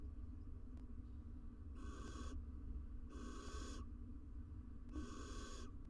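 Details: Barn owl pair at a nest box in Israel on a live nest cam, the female incubating six eggs; three breathy, rasping hisses, each about half a second long, repeated roughly every 1.5 seconds over a steady low hum.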